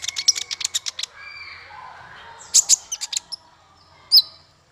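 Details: Male Van Hasselt's sunbird, recorded to tutor songbirds: a rapid string of high ticks, a quiet gap, then another short burst of sharp chirps and one final shrill note.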